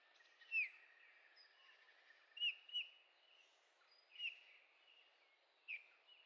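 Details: Eurasian bullfinch in Heringhausen, Sauerland, Germany, on 15 August 2013, giving five soft, piping, falling whistles at uneven intervals, over a steady hiss of background noise.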